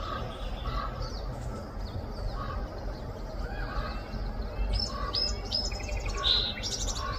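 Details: A Song Sparrow sings a bright phrase of clear notes and buzzy trills while bathing at a backyard bird bath fountain, over a steady low rumble, before crows interrupt its singing.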